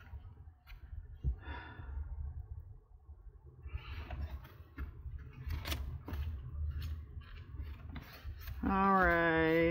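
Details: Quiet indoor handling noises, paper rustles and soft breaths, ending in a short steady voiced hum; no animal sound.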